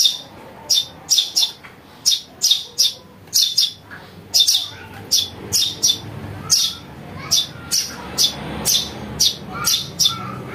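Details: House sparrow chick, recorded as a bird-catching lure, giving rapid harsh chirps in bursts of two or three, with a brief lull midway before the calling resumes.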